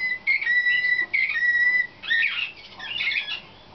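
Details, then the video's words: Young Slavujar canary from 2013, in training for contests, holds long level whistles broken by brief gaps, then switches to busier, buzzy and trilled notes that fade toward the end. "CANAR SLAVUJAR"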